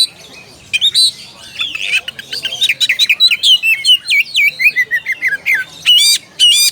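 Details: Oriental magpie-robin calling out a rival: rich varied whistled phrases with sharp chirps and rising and falling slurred notes, delivered in a rapid stream of short loud bursts.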